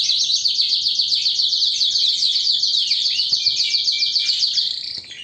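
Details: Canary in full, powerful song: a dense, continuous, rapid high trill of repeated buzzy notes, briefly sliding into a lower whistled line before fading at the end.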